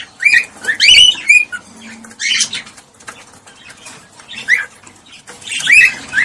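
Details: Sound of a cockatiel meant to prompt mating, with three loud rising whistled notes in quick succession, scattered harsher chatter, and a final pair of upward-sweeping whistles near the end.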